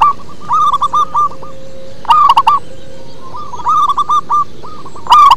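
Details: Low, bass-voiced local zebra dove song: rolling trills of quick coos, then a loud clipped burst, followed by more trilled phrases and another loud burst at the close.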